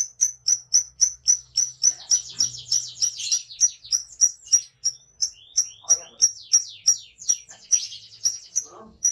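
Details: A lovebird delivering the ngekek song, a steady run of piercing high chirps roughly three per second, overlaid midway by rapid descending chattering notes and faint low murmurs.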